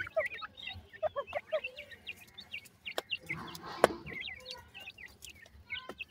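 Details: Grey francolin chicks feed while calling in short high peeps, some notes spaced and pulsing, others bunched, with a rustle and a sharp tap near the middle.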